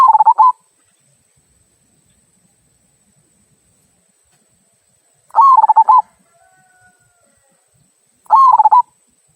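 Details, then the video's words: "Kung" song from a local zebra dove, a style used to encourage other birds to sing: three brief, rolling cooing bursts spaced about three to five seconds apart, with a faint thin tone heard between two of them. "Perkutut Lokal Suara Kung, Cocok Untuk Pancingan"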